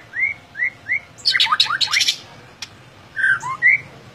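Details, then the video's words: Gacor ngeplong song from a white-rumped shama: three clear rising whistles, then a burst of rapid falling sweeps, a sharp click, and more looping whistled notes. "Suaranya Bikin Merinding! Murai Batu Gacor Ngeplong"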